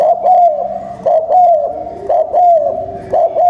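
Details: Spotted dove used as a decoy to rouse wild doves, with fast cooing. Short, mellow, slightly falling coos come about once a second, four phrases in a row over a quiet low hum.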